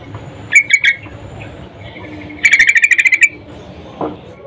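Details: Female sooty-headed bulbul in breeding condition calling to a male; three sharp chips, a pause, then a fast even rattle of about ten buzzy notes, ending with one lower note.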